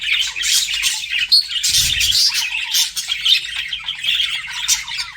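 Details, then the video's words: Pet budgerigars chatter while flirting, a constant stream of high raspy chirps and squeaks with a brief whistled note and a soft low thump midway. "BUDGIES FLIRTING"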